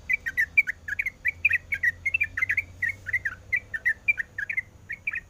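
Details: Female sooty-headed bulbul in breeding condition calling the male: a rapid run of short, chirpy, slurred notes, about four each second, steady and unbroken, over a faint low hum.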